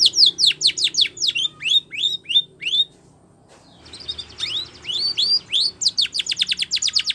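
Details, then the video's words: Spanish Timbrado canary training song: quick falling whistles followed by rising slurred notes, a short pause, then upward sweeps and a fast run of sharp descending notes. "Canary Singing / Spanish Timbrado song For Training"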